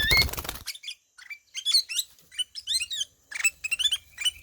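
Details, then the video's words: Ruby-throated bulbul, locally kutilang emas, singing ngelowo: opens with a burst of broad noise, then lively clusters of high, slurred chirps and twitters repeated in short runs. "KUTILANG EMAS NGELOWO"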